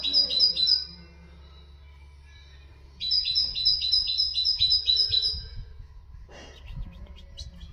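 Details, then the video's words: Common nightingale song played to teach goldfinches and canaries: two bursts of rapid, evenly repeated high, sharp notes, a short one at the start and a longer run after a quiet pause, over a steady low hum, with scattered faint noises near the end. "تغريد طائر الحداد"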